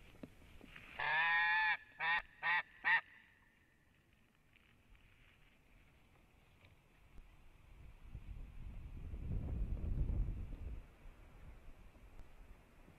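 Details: Female white-tailed eagle calling at a nest in Latvia, 14 February 2017 at 13:05, during a pair greeting. A drawn-out, harsh, harmonic cry is followed by three short yelps. A long stretch of wind rumble comes after.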